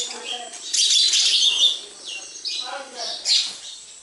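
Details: High chirping bursts from sparrows at a home, a loud clustered twitter early on, then scattered single chirps over faint lower background murmur.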